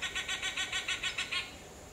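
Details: Sri Lanka grey hornbill giving a quick run of about ten harsh, cackling notes, close to seven per second, ending abruptly after about one and a half seconds; a steady high insect hum continues behind.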